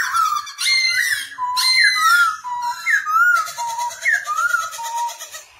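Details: Black-throated laughingthrush singing while dancing, its song used to train newly caught birds to sing; loud, clear whistled phrases that rise and fall in rolling loops, with quick slurred notes and a busier buzzy passage near the end.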